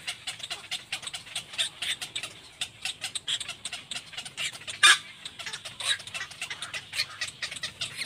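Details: Little black cormorant, mother and baby; a dense run of short, scratchy squawks repeated quickly and unevenly, with one sharper, louder cry near the middle.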